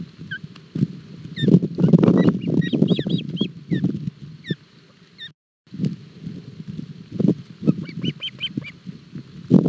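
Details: Ospreys at a Barlinek Forest nest, breakfast fish feeding for the chicks, 07 July 2022, nest camera; scattered thin, high chirps in short runs, mostly buried under loud low rustling and thumping, with a brief silence midway.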